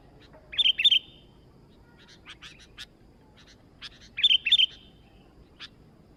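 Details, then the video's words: Sooty-headed bulbul singing vigorously (gacor). Short bright chattering bursts of quick whistled notes near one and four seconds, with scattered single chips and brief phrases between them, over a faint low background hiss. "Mikkat burung kutilang baru Gacor dor"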